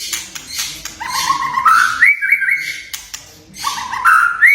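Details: White-rumped shama whistles and crackling kretekan notes, meant to set young or silent shamas singing: long rising whistled slides, repeated after a short gap, against loud broadband rustling noise.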